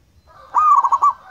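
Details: Single loud phrase from a local Indonesian zebra dove: a ringing coo that breaks into four quick, evenly pulsed rolling notes, then stops.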